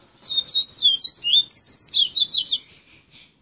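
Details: Yellow-bellied seedeater singing a 'tui tui viviti flautado' style song, Pero Vaz, Salvador, Bahia: a rapid, high warbled phrase of sliding whistled notes, about two seconds long, fading at the end.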